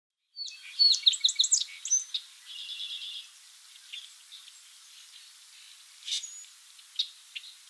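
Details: Song Sparrow (Melospiza melodia), singing while foraging: a bright burst of sharp introductory notes, then a dry buzzy trill and a few softer trailing notes; faint chips from other birds follow.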